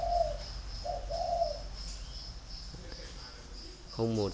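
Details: Captive spotted dove at a bird breeder near Ba Vì, Hanoi, Vietnam, a long-feathered bird valued for its 'thổ áo đỏ' voice style: two low soft hooting coos, the second longer and two-part, then a brief man's voice.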